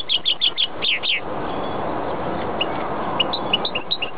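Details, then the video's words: Goldfinch crossed with greenfinch, singing: a quick burst of about six loud twittering notes, then a pause and softer, sparse chirps over steady background hiss. "Mixto jilguero pega verderon"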